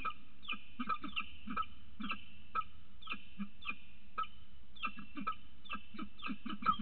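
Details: An adult male peregrine falcon arrives with food for the female on the morning she lays her first egg, giving short, harsh, creaking notes in uneven bursts, several each second, over a low steady rumble.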